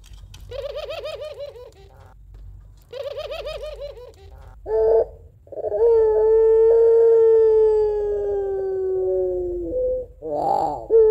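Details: Barbary dove (Streptopelia risoria), a pelung-type dove, giving a long crying coo: two bursts of quick rolling coos, then a mournful note held about four seconds, sinking slightly at the end; a two-note kuwok call.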